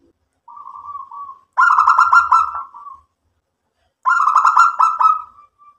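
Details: Local zebra dove in full song gives a soft low cooing lead-in, then a rapid stuttering run of throaty coos. After a short pause the rolling burst repeats, clean against silence.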